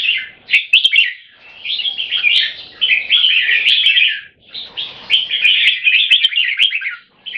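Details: Red-whiskered bulbul song in a contest between two fierce birds, each trying to out-sing the other in butir singing. Rapid, bubbling, warbled notes run in long dense strings, broken by short gaps.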